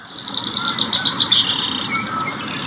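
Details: Yellow-headed blackbird on Elk Island near Edmonton calls: a fast run of high, scratchy chattering notes, roughly ten a second, fading into a thinner drawn-out buzz, over a soft rural background hum.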